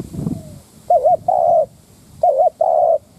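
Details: Decoy spotted dove calling to rile up wild doves: two phrases, each a quavering coo followed by a steadier drawn-out coo, after a brief low rustle at the start.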